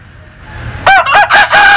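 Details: An unusual rooster crow from a Linh Kê chicken starts after near silence, loud and close. It is a rough, harmonic call broken into four choppy segments that run to the end.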